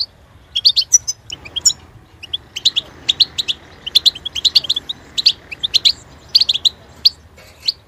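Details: Goldfinch song: rapid, high twittering phrases of short buzzy and tinkling notes, bursts separated by brief pauses, all well above low background hum.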